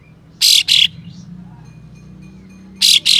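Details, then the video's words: Ashy tailorbird, called kapas tembak, with tail fanned, repeating paired harsh buzzy bursts twice about two seconds apart. The coarse 'besetan' notes are meant to provoke other tailorbirds. "Kapas Tembak Buka Ekor Full Besetan Kasar Pedas Untuk Memancing Katem Lain Agar Bukor"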